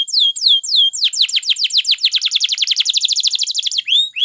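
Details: Canary of the Spanish Timbrado type singing a training song: a few slurred descending whistles speeding into a rapid run of repeated sweeping notes, ending in rising whistles.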